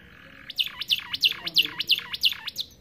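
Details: American Fancy canary in starblue, singing to train young canaries: six or seven loud V-shaped notes that drop and bounce back up, repeated about three times a second after a soft buzzy start.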